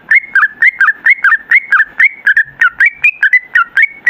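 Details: Sooty-headed bulbul singing steadily in the long 'ropel' style, recorded to make other bulbuls answer. Even, bouncy sequence of about twenty liquid whistled notes, each a quick dip and rise, without any pause.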